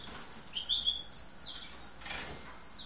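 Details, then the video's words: Lesser goldfinch, subspecies hesperophila, green-backed form, giving short high thin chirps and brief twittering notes with faint background noise. "Lesser Goldfinch"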